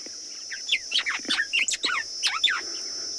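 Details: White-browed sparrow-weaver (Plocepasser mahali) singing from inside its nest on a late-December afternoon in a South African game reserve: a quick, jumbled run of liquid whistles and chirps over a steady high insect-like hiss.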